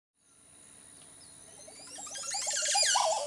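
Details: A Montezuma oropendola (Psarocolius montezuma) gives a swelling burst of liquid, gurgling notes that slide up and down, loudest near the end; a faint high steady hiss runs throughout.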